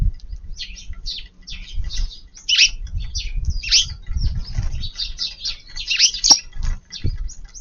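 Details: Eurasian tree sparrows, a group visiting a garden at lunchtime on March 13 to feed: a steady stream of short, high chirps and tweets from several birds overlapping throughout, with low rumbling background noise underneath.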